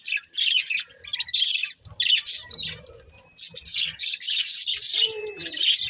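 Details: Budgerigars give bursts of scratchy chirping and chatter with gaps between, plus a lower harsh squawk near the end.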